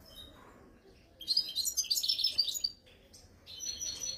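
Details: European goldfinch singing in the khalwi style, Algeria: a dense burst of bright, high twittering and tinkling notes lasting about a second and a half, then a softer, thinner run of twitters near the end, over low background hiss.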